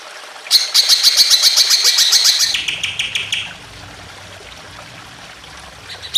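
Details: Greater green leafbird singing with emotion to trigger other birds: a loud, rapid, high buzzy chattering phrase of regular pulses, about four a second, shifting lower before stopping, followed by quiet trickling water.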